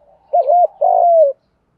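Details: A single coo phrase from a spotted dove in hạp bổi style, used to stimulate other doves: a wavering two-note coo then a sustained, slowly dropping hollow note.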